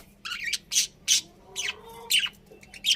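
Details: Budgerigars kept as pets give loud, harsh chirps and squawks in quick bursts, several rising and falling high notes, with a soft low hum in the background.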